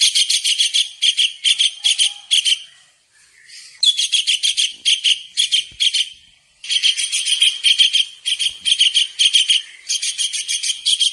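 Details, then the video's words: Energetic tengkek udang kingfisher in masteran for cage songbirds: repeated phrases of fast, harsh, buzzy notes, one phrase starting with a sliding squeal, separated by quiet pauses. "masteran burung Tengkek udang gacor"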